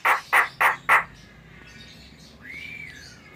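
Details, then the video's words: Four loud harsh squawks from a Javan myna, evenly spaced about three per second, followed after a pause by a softer drawn-out whistle that rises and then slowly falls, over faint background hum. "SUARA BURUNG JALAK KEBO GACOR"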